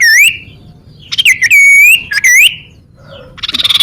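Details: Common iora singing, used as a lure and to prompt rival birds: long clear whistles that fall and then rise, joined by a sustained level note. A brief buzzy trill follows at the end.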